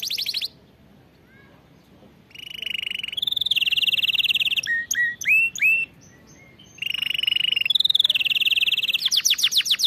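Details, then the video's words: A canary sings in a tutor recording for training birds to sing correctly. Long, loud, sustained rolling trills alternate with rapid upward-sweeping notes and a brief pause, then close with repeated sharp descending strokes. "أفضل أغنية لتدريب طائر الكناري على الغناء الصحيح"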